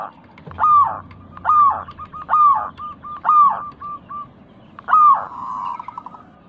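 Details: Local Indonesian zebra dove in a 'crystal' voice, a lure to prompt caged doves: five loud, drawn-out arched coos about every 0.9 seconds, short soft notes between them, ending in a faint fast trill.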